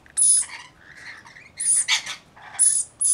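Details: A flock of about 40 Rainbow lorikeets caring for one baby gives harsh grating screeches with shrill high whistled edges, several overlapping bursts in quick succession.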